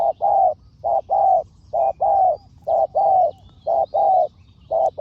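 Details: Spotted dove with a decoy bird during lure trapping in Thailand, both birds fierce; low hoarse coos in short-long pairs, repeated steadily about once a second over a quiet background.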